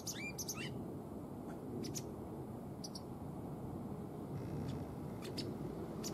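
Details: Pet white wagtail, a female not yet showing any breeding behaviour in spring, gives a quick burst of sharp, sweeping chirps, then a few short high notes, over a steady low rumble of background noise.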